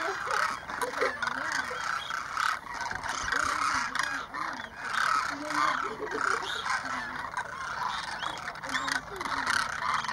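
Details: Demoiselle cranes in a flock of about 2,500, flying overhead and coming in to drink at a small lake at Keechan, Rajasthan, India, in January: a dense chorus of overlapping rolling calls, with people talking nearby.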